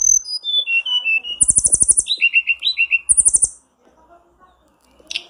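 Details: Blue flycatcher used as a lure recording to make kept birds sing; clear high whistled notes stepping downward, then two bursts of very high, buzzy, rapidly pulsed phrases with lower warbled notes, ending in a short sharp note after a pause.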